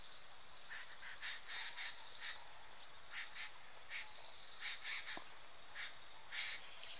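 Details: Jungle babbler, possibly a juvenile, giving harsh, raspy chattering bursts in irregular runs, over a steady, high, pulsing insect trill.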